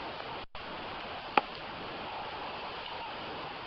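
Steady broadband hiss like running water or wind, broken by one sharp click; no animal voice is heard.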